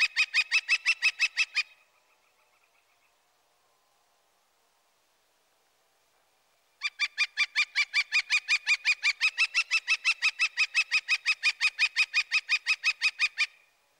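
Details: Typical Northern Flicker call holding steady on one pitch: a rapid run of loud, evenly repeated notes, a faint distant series, several seconds of quiet, then a long loud series of about forty notes.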